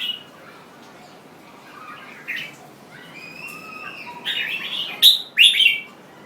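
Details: Jambul bird song starting with soft scattered notes and thin drawn-out whistles, building to a burst of loud, harsh, bright chirps near the end.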